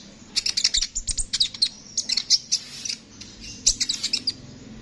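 A sunbird sings a rapid, very high, sibilant twittering in quick bursts of chips and trills, with short pauses between phrases.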